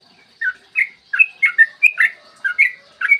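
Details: Yellow-vented bulbul in active, long rapid-fire song, recorded in clear morning voice as a lure to prompt other bulbuls to sing: short bubbly chirped notes, falling and rising, in quick bursts with brief pauses.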